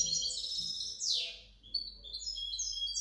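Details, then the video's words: European goldfinch hybrid kept by its owner, labelled 2019–2020, producing bright clustered twitters, one loud downward buzzy sweep, then more high, clipped whistled notes in quick succession; faint hum underneath. "mi mixto de jilguero"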